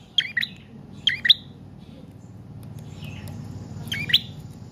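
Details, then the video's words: Prinia singing, used as a lure and teacher for caged birds: two quick pairs of sharp high chirps, a quiet gap with faint notes, then one more chirp. "Prenjak Trotol/Paot Gacor Panjang"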